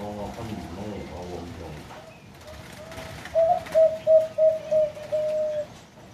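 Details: Deep-voiced zebra dove cooing: low, harmonic rumbling sounds at first, then a clear phrase of five short steady notes followed by a prolonged rolling trill; quiet background.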